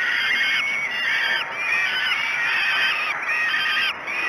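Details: Morning feeding at Great Spirit Bluff, 06:54 on 5 June 2016: falcon chicks keep up an unbroken, hoarse begging scream, rising and falling in pitch every second or so, with a brief dip near the end.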